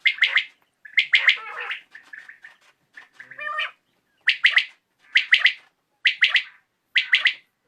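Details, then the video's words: Common quail heard in the evening, sharp three-part phrases, a jumble of rougher notes in the middle, then evenly spaced triplets about once a second. "COMMON QUAIL CALLING | BATAIR KI AWAZ"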